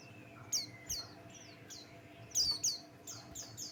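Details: White-eye of the Buxtoni type giving a lure song to set other birds singing: sharp, very high descending chirps spaced irregularly, often doubled, over a steady faint hum.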